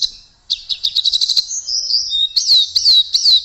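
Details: Blue flycatcher (tledekan) song opens with a quick series of bright repeated chips, then shifts into looping whistled notes that rise and fall.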